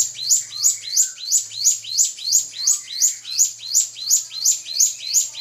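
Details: Drongo song meant to rile a rival: a rapid, steady series of short, high chirping notes, about three per second, repeated evenly throughout, with a faint low hum beneath.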